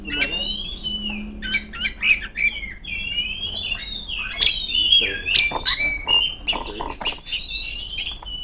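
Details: Energetic song of a female Oriental magpie-robin calling rivals, long whistled slurs alternating with clipped chirps and short rising notes, a faint hum in the background.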